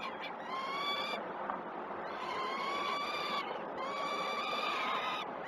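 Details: Begging peregrine falcon chicks at a Great Spirit Bluff nest cam feeding, 12 June 2018; rasping, slightly rising drawn-out calls overlapping in long runs with a short break midway.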